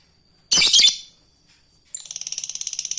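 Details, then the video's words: Fighter lovebird calling an opponent. A harsh, noisy burst is followed by a fast, high rattling ngekek trill of rapidly repeated notes, used as training material for other lovebirds. The room is otherwise quiet. "Suara burung Lovebird fighter memanggil musuh lanjut ngekek"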